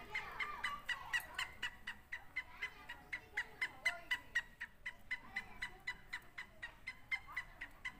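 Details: Two francolins, Sindhi and Punjabi, calling in a contest, a harsh, ringing series of about four notes a second, the birds seeming to answer each other back and forth.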